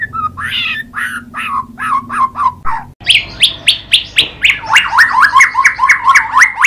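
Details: White-rumped shama giving a series of short chirped notes, then a brisk run of sharp repeated notes that speed up into quick looping phrases.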